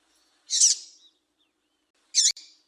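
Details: Calls of a female papa-capim, used to warm up males and set them singing: a rasping high chirp trailing off, then a second sharper chirp about one and a half seconds later, in a silent setting.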